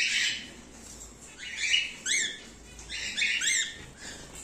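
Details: Emerald mutation cockatiel pairs, kept birds, giving a run of short chirping calls that sweep up and down, several in quick succession with brief gaps, overlapping at times as if more than one bird is calling.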